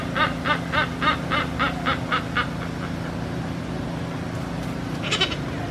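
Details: Silvery-cheeked hornbills in captivity at Central Florida Zoo, Sanford, 2019, calling to each other: a run of about nine loud nasal honking notes at a steady pace over two and a half seconds, then a harsher burst, over a constant low mechanical hum.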